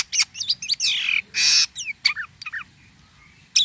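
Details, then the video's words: Jalak kapas starling singing vigorously with unusual sounds: quick chattering notes, a long hissing rasp, a sweeping slurred whistle and scattered sharp chips. "jalak kapas gacor corr suara aneh"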